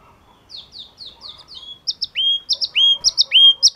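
Yellow-cheeked tit song: a quick run of five high, down-slurred chips, then loud repeated phrases of sharp notes joined to clear rising whistles.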